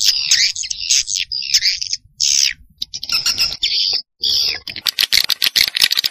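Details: Swiftlet calling sound used to attract birds to farming houses: drawn-out high, squeaky chirps with short gaps, then a closing run of rapid sharp clicks.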